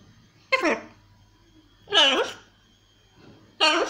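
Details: Talkative blue-and-yellow macaw kept as a pet produces three harsh, nasal, word-like squawks, roughly one every one and a half seconds, with a faint steady tone behind them indoors.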